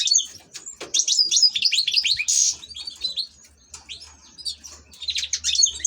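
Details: European goldfinch kept as an ornamental bird, singing a fast, high tinkling twitter of slurred and buzzy notes in bursts, with a harsh rasping burst near the middle and short pauses between phrases.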